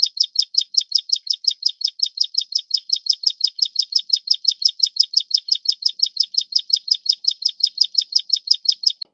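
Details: Over nine seconds a Plain prinia (Taiwan-endemic subspecies flavirostris, of grassy riverbeds and farmland) keeps up a nonstop, evenly spaced series of sharp, high, buzzy notes, about five or six per second, with a clean quiet background.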